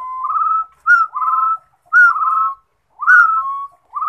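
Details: Song of a rufous-throated partridge: a sharp rising whistle followed by a drawn-out steady whistled note, given in a regular series about a second apart. The background is quiet, with no competing sounds.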